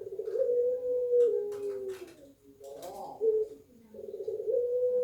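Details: Caged puter dove of the pelung type, Banyuwangi, Indonesia, known for a thick "kwok" coo. Long low steady cooing notes, then a brief rough burst with faint clicks, followed by another long drawn-out hollow tone.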